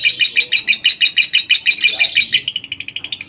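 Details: Lovebird ngekek used to coax other lovebirds into song: evenly spaced, harsh, high chirps at a rapid beat. Near the end they switch into a quicker, thinner rattle.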